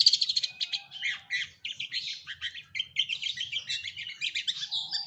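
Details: Long-tailed shrike, lure recording: a busy, scratchy warble of rapid chirps and rattling notes running almost without a break, ending with a thin sustained whistle.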